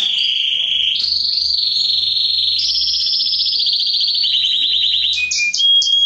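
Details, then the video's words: Loud song of a male canary, played to rouse females for mating and as training for singing: long, even rolling trills that step upward in pitch, ending in short sharp whistled notes. "اقوى تغريد كناري للتسميع و تهييج الاناث للتزاوج"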